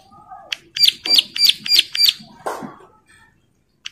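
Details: Bar-winged prinia in breeding condition, calling to other females that answer: a burst of five loud high chirps at even spacing, followed by a lower rough note and a final isolated chirp after a pause.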